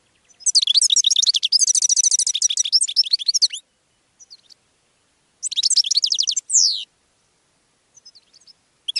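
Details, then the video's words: Goldfinch singing to attract other birds, a sustained three-second stream of fast, high, tinkling twitters, a pause, then a shorter phrase ending in a falling buzz. "GOLDFINCH SONG to ATTRACT Other Birds"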